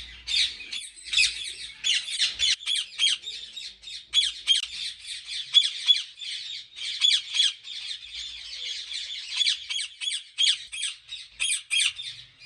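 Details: Many ringneck parrots kept at a breeding farm in Pakistan squawk almost without pause, producing a steady stream of harsh, high chattering calls packed closely together.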